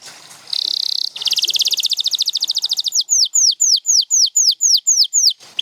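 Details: Canary song opening with a short buzzy steady note, then a fast rippling trill of about twenty notes, slowing into a series of clear downslurred whistles repeated roughly every third of a second.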